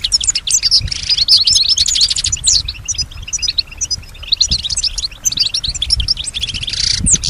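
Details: Female European goldfinch kept as a pet, singing and imitating nearby sounds; dense tinkling twitter of quick chirps and trills, ending in a harsh buzzy note, with faint low background thuds.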